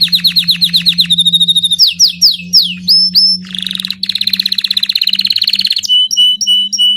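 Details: Belgian king canary in full, varied song: quick downslurred notes, a rattling trill, clipped upslurred whistles, a fast pulsing roll, and crisp repeated chip notes, all delivered loudly. A steady low hum lies underneath.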